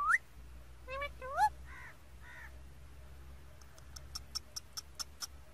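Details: Parrot calling in short harsh, rising and falling notes with stacked harmonics near the start, followed by a rapid series of sharp clicking ticks repeated about every quarter second toward the end, over a steady low hum.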